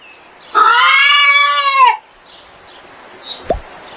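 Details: Chicken giving a single drawn-out, harmonic, slightly arching squawk lasting over a second, followed by quiet background with a faint sharp knock.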